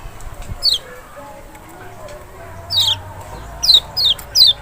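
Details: Lemon-bellied white-eye, big Lombok or Sumbawa form kept in captivity, song meant to trigger a reluctant bird: one high falling whistle, a pause, then four quick descending whistled notes in close succession.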